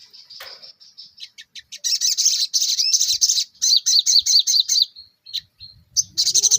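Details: Ruby-cheeked sunbird in lively full song with shooting notes: high thin chirps and trills, then rapid repeated bright notes several per second, fast sputtering phrases around the upper range with brief pauses.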